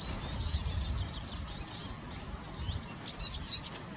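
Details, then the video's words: Song of a Eurasian siskin, a bright run of rapid high chirps and tinny twitters strung closely together, heard over soft low-pitched background noise. "Spinus spinus/ jilguero lugano/ Eurasian siskin"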